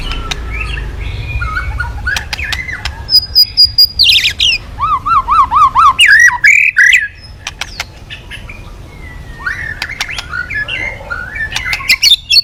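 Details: Lively white-rumped shama singing as a lure for other birds: varied chattering and rattling phrases, a series of wavering trilled notes, some harsh squawky elements and clicks, with a faint low hum underneath.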